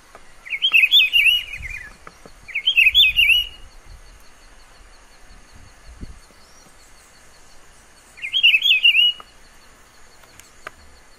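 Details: A Rufous-browed Peppershrike hidden in vegetation in Pernambuco, Brazil, gives three loud, rich, warbled whistled phrases about a second long, with irregular pauses, over faint high background chirps and a low rumble.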